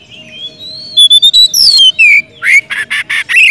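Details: White-rumped shama in full, lively song calling a rival, offered as a lure for a bird reluctant to sing: a long rising whistle, quick falling slurs, then a run of loud harsh chips repeated in quick succession.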